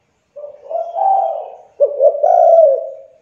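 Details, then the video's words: Lure call of a young spotted dove meant to get other doves calling; a soft wavering coo followed by an abrupt stuttered note and a longer husky, level coo. "TEKUKUR MACET , MALAS BUNYI, MUDA, CULHU COBA PANCING DENGAN TEKUKUR INI AGAR CEPAT BUNYI"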